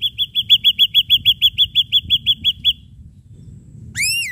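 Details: Lure song of a lively ashy drongo: a fast, even run of about sixteen short bright chips, about three per second, then a pause and one loud arched whistle.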